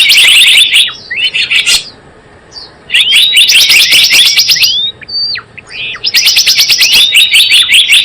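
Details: Java sparrow lure sound for trapping: loud runs of fast, sharp chips alternate with quieter gaps, scattered slurred whistles, and a final rapid chattering series.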